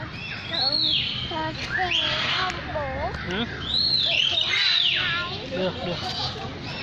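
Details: Lyrebird in continuous, dense song mixing high arching whistles with quick bouncing chirps and lower rippling phrases, rapid and irregular throughout.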